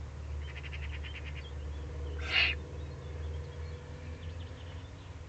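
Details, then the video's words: In the Eifel on 31 May 2020, below the nest site, a Eurasian eagle-owl gives one harsh, breathy hiss of about a third of a second. A small bird's quick trilled notes come before it, over low background rumble. "Eifel Uhu"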